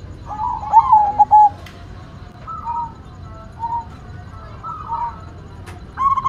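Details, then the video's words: White zebra dove, local perkutut, opens with a loud stuttering coo phrase, followed by quieter cooing from several doves in the background. "Perkutut Putih Gacor Suara Mantul"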